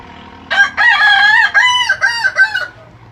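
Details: Kukuak Balenggek rooster, a Minangkabau singing chicken bred for its melodious, layered, stepped crow of four or more syllables, giving one crow of five bright, wavering harmonic segments over about two seconds, each pitched slightly differently.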